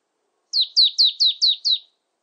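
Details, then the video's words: Marsh tit calling: a quick run of six high, sharply descending whistled notes, evenly spaced, each sliding downward, in an otherwise silent recording. "쇠박새, 여러번 듣기, 곤충소리, 새소리"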